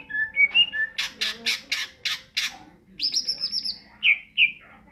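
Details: Greater green leafbird, a caged songbird, singing in the ngentrok style: a few whistled notes, then a run of harsh buzzy bursts about every quarter second, a high rasping trill and two loud rising whistles, with faint voices behind.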